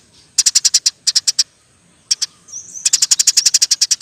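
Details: Persistent Eurasian tree sparrow in roll tembak style, used to tutor songbirds: two short groups of fast high chirps, a paired note, a thin rising whistle, then a long rapid chirping run.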